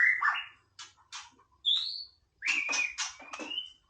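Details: Softer casual song of a white-rumped shama: scratchy notes and clicks with clear whistles, one of them rising, and a final long whistle, all in short phrases broken by silent gaps.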